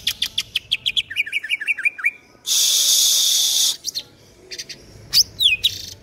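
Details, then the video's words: A local East Javan green leafbird sings a fast run of high chirps, then sweet downslurred notes in quick succession, broken by a loud hissing burst before the song resumes. "cucak ijo lokal jatim cor dor siang malam"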